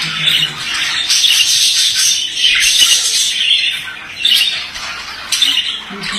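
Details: Male budgerigar singing a dense, continuous scratchy warble of chirps, clicks and squeaks, barely pausing, in a small indoor room.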